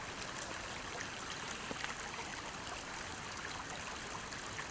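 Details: A forest stream rushes and trickles steadily throughout.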